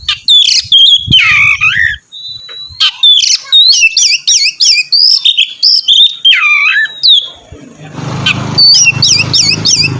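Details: Oriental magpie-robin in full loud song meant to lure another bird into singing: sweet whistles, quick repeated up-and-down notes, a drawn-out whistle and a swooping dip, ending over a hissy background.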